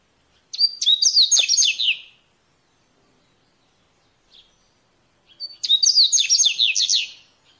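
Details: Wild coleirinho delivering a wild-type song in nature: two loud, fast phrases of high, sweeping whistled notes and chattering trills, separated by about three seconds of near silence with one faint short note.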